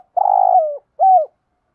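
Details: Spotted dove giving a cooing phrase in the thổ pha đồng style: a long, steady, hollow coo that bends downward at its end, a brief pause, then a shorter falling coo. The background is silent.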